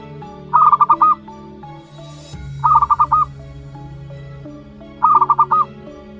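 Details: One-month-old local zebra dove youngster calls in three bursts of five fast, soft pulses, the last pulse slightly drawn out, about two seconds apart, over a constant low hum.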